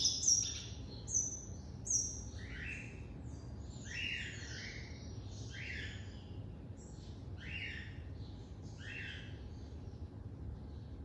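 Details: Coleiro (double-collared seedeater) from an amateur breeder, singing the classic song at moderate distance: sharp high chips open, followed by a string of slurred, downsweeping whistled notes repeated about every second, irregular in spacing, over low hum.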